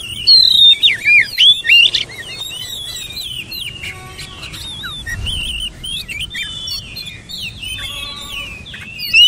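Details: Oriental magpie-robin delivering loud twisting whistled phrases for the first two seconds, then a softer, continuous flow of high warbles and trills mixed with quick chirps.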